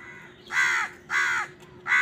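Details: Crow cawing while wild birds fight with crows for food: three loud, harsh, drawn-out caws, each about a third of a second long, spaced roughly every half second against a quiet background.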